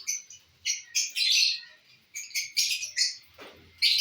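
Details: Lovebirds busy eating corn (bhutta) give rapid, shrill, buzzy chirps and squawks in short clustered bursts, with a few quieter gaps and faint low rustling.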